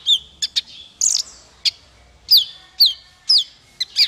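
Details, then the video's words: Singing male kolibri ninja used as a tutor song: sharp, high, down-slurred 'tsew' notes repeated about twice a second, with short clicks and a brief buzzy burst between them. "Suara konin untuk masteran burung 100%jitu konin jantan"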